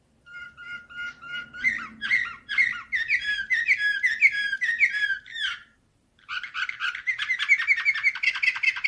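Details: Singing canary in Slavujar nightingale-type style, recorded 2024: opens with a steady pure whistled tone, shifts into repeated bubbling trills, pauses briefly, then bursts into a rapid high rattling tour.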